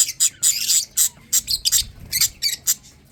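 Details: Lovebird chicks while eating and drinking: dense run of shrill, high-pitched raspy chirps, short and repeated several times a second, with faint low hum beneath.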